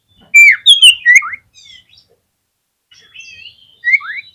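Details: Oriental magpie-robin song used to provoke rival magpie-robins into singing: an energetic string of sharp, bright whistles, a pause with thin warbling, then a closing pair of swooping notes.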